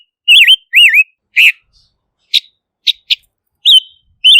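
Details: Silver-eared mesia giving wavy, rising-falling whistles and a harsher note, then several short sharp chips and two more whistles.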